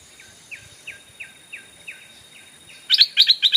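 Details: Stripe-throated Bulbul as a decoy luring wild birds: faint down-slurred notes repeat roughly every third of a second, then a loud, bright burst of about six chattering notes closes the recording.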